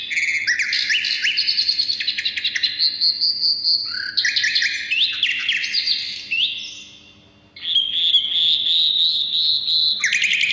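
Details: Energetic Asian brown flycatcher song, used for luring birds and teaching songbirds: long bursts of quick high chips and slurred whistles, a drawn-out steady note, a short gap, then buzzy repeated notes and more twittering.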